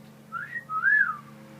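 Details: Captive talking parrot whistling indoors: a short rising note, then a longer clear whistle that rises and falls, with a faint low room hum underneath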